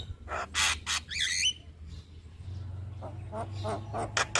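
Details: Javan myna song for masters and lures: loud rasping bursts and a wavering squeal, then a quieter stretch of softer notes over a low hum, ending in sharp chatter.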